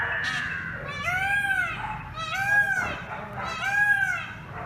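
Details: A dancing Indian peafowl gives three loud, nasal, arching wails about a second and a half apart, each rising then falling, over a steady low rumble of background noise.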